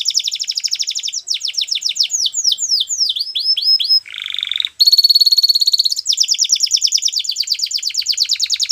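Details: Belgian canary song of fast rattling trills and rolls, one series of descending whistled sweeps, a brief lower buzzy note, then a sustained rapid high trill repeated many times per second.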